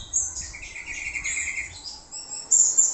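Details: Orange-headed thrush song used as a lure to draw answers from other birds: thin high whistles and a run of slurred, warbled notes in the middle, ending with a sharp bright phrase.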